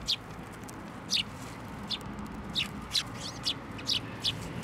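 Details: Sparrows coming to a hand to be fed at a Tenmangu shrine on 21 December 2023; short high chirps repeat about every half second to second over a low background hum.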